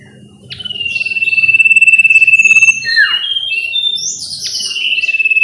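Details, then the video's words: Sooty-headed bulbul song used as a lure to make captive bulbuls sing. One prolonged pulsing whistle rises in loudness, then gives way to a rush of high, scratchy twittering and sliding notes. "Pancingan sirtu lain auto nyaut"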